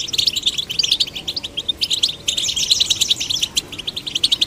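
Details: Goldfinch chicks of both sexes prompted to sing deliver quick, liquid chattering notes in tight bursts, with short pauses, then a steady run of high tinkling chirps.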